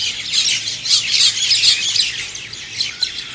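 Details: Birds chirping at dawn, a tight cluster of shrill, squawky high notes pouring out in quick succession and fading slightly toward the end.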